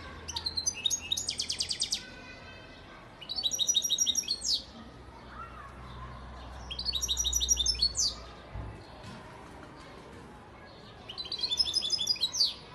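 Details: European goldfinch, a father bird from Antalya, Turkey, 2018, repeating four bursts of bright twittering song with fast rattling trills, roughly every three to four seconds, over a faint low hum.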